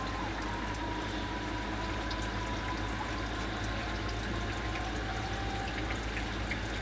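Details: Steady pouring, trickling water with a faint low hum and a thin whistle-like tone drifting through; no animal calls stand out.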